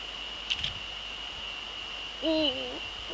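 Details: Male Eurasian eagle-owl in the Netherlands on 30 January 2013 at 18:00 in the evening, giving one short hoot that rises, holds and then wavers down near the end. Two faint clicks come earlier over a steady high whine.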